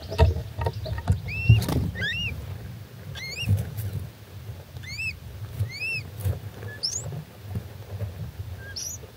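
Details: Three-day-old little owl chicks giving loud begging cheeps for their mother, June 2024; short arched, squeaky cheeps at irregular intervals, about seven in total, with rustling and knocking noises and a low background hum.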